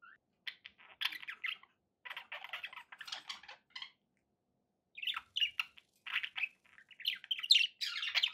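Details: Pet budgies chattering indoors: bursts of scratchy, buzzy chirps and short warbled phrases, broken by about a second of silence midway, then resuming with denser, louder chirping.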